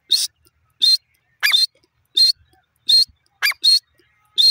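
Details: A pair of francolins (jungle teetar) calling: loud, harsh, high-pitched bursts, each under half a second, repeated at a steady pace of about one and a half per second, with short downward-sliding notes between them. The background is silent.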